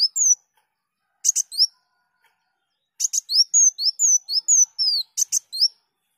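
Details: Kolibri daun singing, a recording for training other songbirds: short bursts of high slurred whistles and fast chirps, a long pause after the opening notes, then a rapid run of descending whistles.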